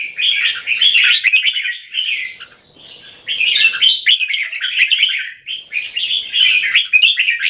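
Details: Caged Red-whiskered Bulbuls, two equally fierce birds, dueling in song to dominate each other; near-continuous chattering, whistled phrases in quick bursts with brief pauses, plus occasional sharp metallic clicks.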